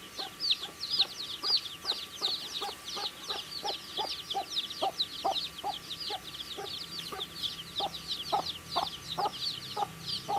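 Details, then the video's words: Baby chickens at their food, a dense wash of high, quick chirps from many chicks over a run of pecking clicks about twice per second, with a faint hum. "Cute Baby Chicks Chirping Sounds"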